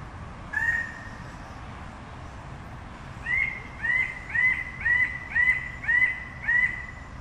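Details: Red bird-of-paradise from Indonesia's Raja Ampat islands: a single loud upslurred nasal note, a pause, then a rapid run of seven similar rising-then-level calls roughly every half second, with low rumble behind.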